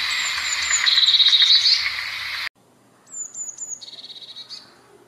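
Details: Two blue tit songs, each starting with high, thin descending notes and running into a rapid even trill; the first is over steady background hiss, the second in near silence.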